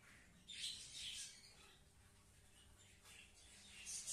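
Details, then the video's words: Crow giving harsh, rasping squawks: a loud burst of scratchy notes in the first second, quieter grating sounds through the middle, and another sharp harsh note right at the end. "crow's activities"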